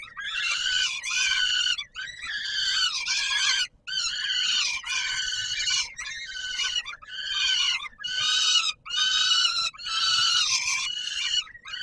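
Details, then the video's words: Peregrine falcon in Warsaw, Poland, at the Palace of Culture and Science, 17 July 2022, around feeding time: a string of raspy, nasal screeches repeated roughly once a second, each ending abruptly. "Sokół wędrowny PKiN Warszawa - Chłopaki wstawać kolacja"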